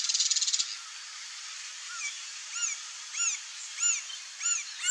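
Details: A male Green-barred woodpecker at its nest in the breeding season gives a brief burst of rapid high chatter, then a series of short, high, arched notes about every half second.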